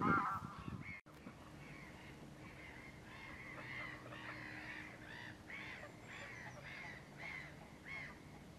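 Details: Common Mergansers (Goosander) on Fyrisån creek on an early spring day, 2 April 2022, a pack of mostly males chasing each other while following a few females in courtship, give short nasal honks about two a second over a low rumble after a brief thump.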